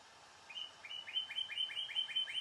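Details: Northern Cardinal in winter at Sutton, Québec, a year-round resident seldom heard singing in winter, gives about nine clear, slurred whistles in quick succession, each note sweeping upward then holding steady; the background is quiet.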